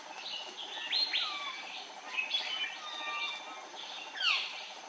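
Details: Andaman bulbul recorded close up on Andaman Island, India, March 2020: a busy run of sharp, falling chirps and thin whistles, with several louder bursts spaced through the clip.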